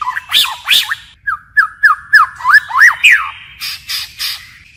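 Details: White-rumped shama in forest-style song with constant voice changes: a run of loud, evenly spaced, looping whistled notes, several per second, then shorter sharp chips toward the end.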